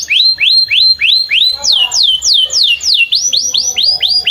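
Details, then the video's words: Canary song for training young canaries: clear upslurred whistles repeated about three per second, shifting to longer downslurred swoops, then rising notes again. "Pancingan Kenari Paud Belajar Bunyi"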